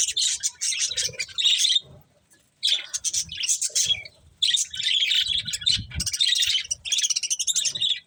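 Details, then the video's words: Budgerigars chirp while eating corn: four dense bursts of fast, high twittering chatter, each lasting one to two seconds, separated by short silences, with quiet low taps. "Cute Budgies Enjoying Eating Corn | Love Birds Chirping Sounds"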